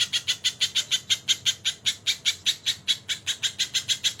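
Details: Tutor recording of a crested jay with kingfisher fills: evenly spaced, grating squawk notes repeated about five times a second, loud and unbroken throughout.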